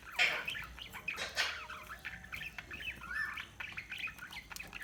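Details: Budgerigars chirping in a busy chatter of short, buzzy, warbled notes overlapping one another, with faint low background hum.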